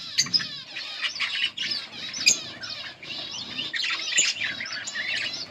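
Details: A yellow budgie pair in steady soft warbling chatter, many overlapping high whistled and buzzy chirps with occasional sharp clicks.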